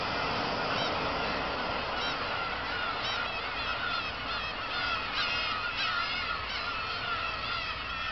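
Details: On Kabushima, 2 August 2012, after fireworks, black-tailed gulls call en masse: a steady clamour of squealing, up-and-down yelps in clusters, with drawn-out mews beneath.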